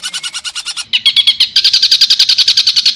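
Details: Pentet singing harsh tembakan kasar for song training: a string of scratchy pulsed notes, a short gap, then louder rapid rasping notes that speed into a tight, even series.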